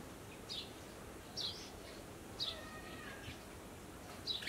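Chestnut-tailed starling giving short, high, slurred chirps about once a second, irregularly spaced, with faint thin whistles between over steady background hiss.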